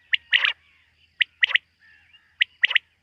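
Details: Night call of a quail: one clipped note, then a fast trisyllabic burst, the pattern repeating about every 1.2 seconds, with a faint low buzz between phrases.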